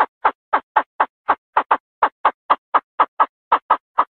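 A female Chinese francolin calls the male with a fast, even series of harsh clucking notes, about four a second, with nothing else heard.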